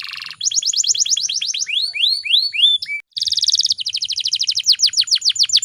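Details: Female canary lure for triggering male song: a dense high trill, then falling sweeps that slow into separate rising whistles, a brief pause, and a fresh rapid trill with repeated swooping notes.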